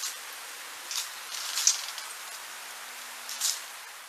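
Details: A Fox Sparrow double-scratches in dry leaves to uncover food beneath: three loud, crackly rustling bursts about two seconds apart, with only faint vocal traces over a quiet background.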